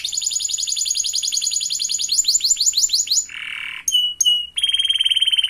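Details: Canary song used as a lure to prompt a young canary to sing: rapid high trills of repeated sweeping notes, a buzzy burst, two sharp whistled notes, then a fast ringing trill.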